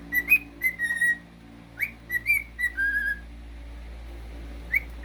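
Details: Pet cockatiel giving a series of clear whistled notes, some flat and some rising or falling. The notes come in short bursts, then stop, with a steady low hum in the room behind.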